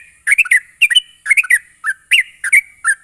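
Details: Sooty-headed bulbul song, intended to get young birds singing: loud, lively clusters of two or three liquid chirping whistles, some with bright overtones, repeated about every half second.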